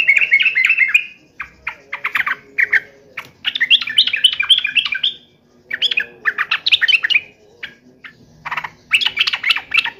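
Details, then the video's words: Sooty-headed bulbul in an aggressive, fighting temper, singing almost without pause: dense bubbly warbled phrases of whistles and chirps, with a faint low hum beneath. "trucukan gacor FULL TARUNG NGAMUK"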